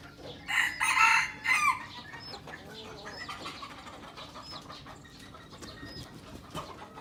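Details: Red junglefowl from Aceh, a young bird used as a lure, crowing once in a loud harsh burst with a drawn-out ending, then quieter background with faint distant calls.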